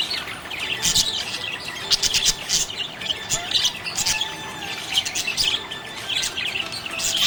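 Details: A happy budgerigar chirping scene: rapid, overlapping squeaky chirps and harsh little squawks repeat in lively, uneven bursts throughout.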